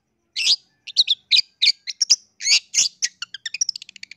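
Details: Lure song of a long-tailed shrike (cendet) meant to make others sing: spaced harsh buzzy notes, then an accelerating series of short clicking chips.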